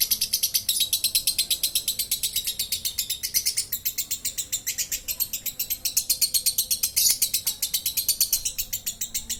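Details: Long 'ngekek' chatter from a contest-winning lovebird, 'konslet' style: dense, high, scratchy notes repeated rapidly and almost without pause, slightly uneven in loudness across nine seconds.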